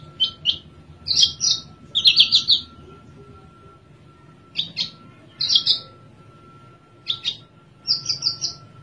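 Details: Caged Oriental skylark from Java singing while settled: scattered sharp chips and short buzzy bright phrases, in groups with quiet gaps between, over a faint steady hum.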